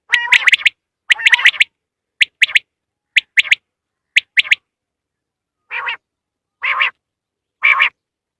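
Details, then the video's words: Quail call used as a lure for catching quail in hunting: sharp, clipped notes in quick groups of two or three, repeated about once a second. A few softer, buzzier notes come near the end. "btair vioce at home / Batair hunting today / بٹیر پکڑنے کے لیے بیسٹ اواز"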